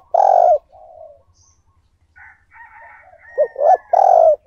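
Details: Spotted dove used as a decoy, cooing to call and lure other doves; loud, low, hoarse coo notes open and close the passage, with softer broken notes and a faint thin whistle in between.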